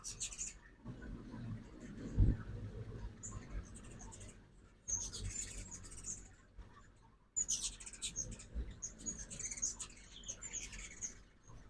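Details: Morning at an Oxford, Mississippi feeder during ruby-throated hummingbird fall migration: excited high chittering chips in bursts, a loud low thump early on, and chatter resuming strongly after a pause.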